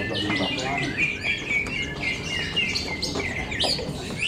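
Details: Greater green leafbirds singing at a bird singing contest in Cikeas: dense, overlapping high whistled phrases and chattering trills from several birds, with crowd murmur and human voices underneath.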